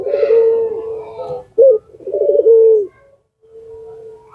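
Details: A puter pelung lure dove coos in low, slightly rippling notes, then a short clipped hoot and a second long wavering coo. A faint drawn-out note trails off at the end.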